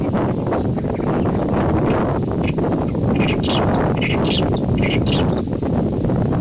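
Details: In riverine grassland in Kashmir, a clamorous reed warbler sings a loose string of clipped, harsh notes mixed with brief higher squeaks, starting after a couple of seconds, against heavy low wind roar.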